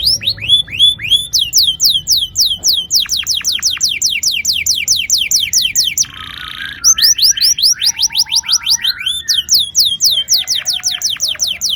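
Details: Long rolling canary song meant to prompt young canaries to sing, made of steady runs of sharp descending whistled notes repeated rapidly, broken by a brief harsher buzzy passage near the middle.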